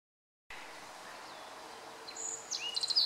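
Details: Black-faced bunting song recorded on 14 July 2013, singer unseen; quiet background hiss, then a short burst of high, thin notes in the last second, with a brief trill and sharp chips.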